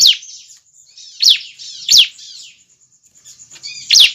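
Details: Young bar-winged prinia calling, a recording meant to attract other birds of its kind. Loud descending chirps come singly at irregular intervals of about one to two seconds, with softer twittering between them and a constant high hum behind.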